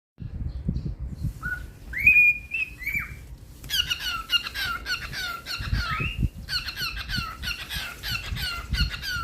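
A cockatiel gives squeaky, rising whistles, then rapid bursts of harsh chattering squawks.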